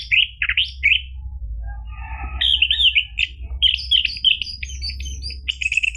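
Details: Song of an orange-headed thrush, used to prompt a caged bird into singing; rich warbled whistles and quick trills, some sliding notes, delivered in clustered bursts against a faint low background hum.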